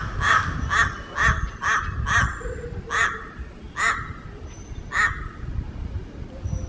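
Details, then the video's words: Papuan crow in Raja Ampat giving a series of harsh, nasal, duck-like calls, about nine short caws spaced roughly half a second apart, over a steady low background rumble. "Burung Gagak Papua di Raja Ampat"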